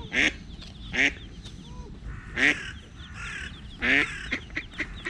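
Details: Eastern spot-billed duck, a mother moving early in the morning with small ducklings, two of which are attacked by a cat; loud harsh quacks about once a second, with thin high peeps and chirps between them.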